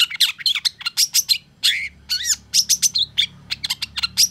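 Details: Long-tailed shrike, excited by a rival, pouring out a fast medley of sharp chips, squeaks and slurred mimic-like notes in tight bursts, with one longer buzzy rising phrase midway.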